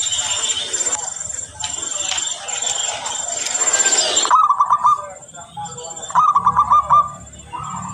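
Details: Local zebra dove in full song, used as a lure: after a noisy, hissing first half, two or three short rolling phrases of rapid clipped coos follow one another with brief gaps.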